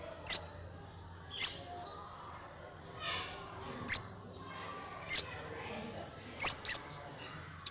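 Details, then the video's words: Kolibri ninja sunbird, recorded for use as a trapping lure. Loud, sharp, high downslurred chips with short trailing whistles repeat roughly every one to one and a half seconds, with a doubled note near the end. "SUARA PIKAT BURUNG KOLIBRI NINJA"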